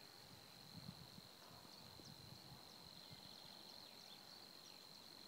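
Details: Savi's warbler in song at Týnecké mokřiny nature reserve, 16 April 2016; a continuous high, dry mechanical reeling trill holds at one even pitch from start to end, with soft scattered ticks and low background hiss.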